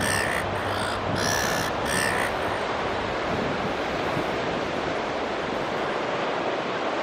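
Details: A Beach Stone-curlew on an eastern Australian beach near its nest with one egg gives three harsh, high, nasal notes in quick succession, after leaving the nest when approached. Steady surf roars throughout and continues alone after the calls.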